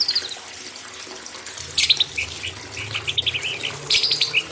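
White-rumped shama singing bright, varied whistled phrases in quick bursts, some high and chattering, over a steady wash of running water.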